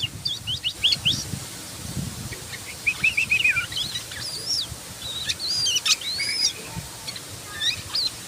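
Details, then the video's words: Yellow-vented bulbul in rapid ngebren song with sharp nembak notes: a busy jumble of high whistled slurs, arches and quick chips running almost without pause over steady low background noise. "Burung Trucukan Gacor Ngebren Nembak"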